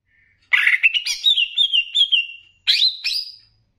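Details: Greater green leafbird song from a Banyuwangi-type master meant to raise excitement: a rich run of warbled, wavering whistles rolling into a long trailing trill, followed after a pause by two loud rising whistled notes; clean recording.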